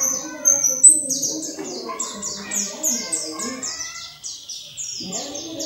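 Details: Oriental white-eye (pleci dakun) song for training caged birds: a few scattered high chirps, then a long regular series of sharp descending notes, with faint lower warbles and quiet background.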